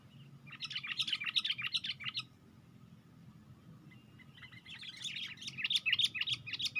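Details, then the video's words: Sooty-headed bulbul, raising its wings while perched on a branch, delivering two bursts of quick, bubbly chirping phrases separated by a pause of about two seconds, over a steady low hum. "Pikat Burung Kutilang"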